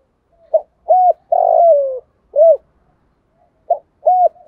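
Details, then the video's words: A spotted dove used as a lure bird coos in the morning to call the flock: a soft, low, hollow phrase of several rounded notes, one drawn out and falling, repeated after a short pause. "chim cu gáy mồi gáy gọi bầy buổi sáng"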